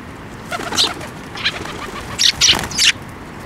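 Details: Sparrows flying in to be fed at a water bridge by Tenmangu shrine, 5 May 2024; a few bright, scratchy chirps mixed with wing flutter, ending in a quick burst of three louder notes.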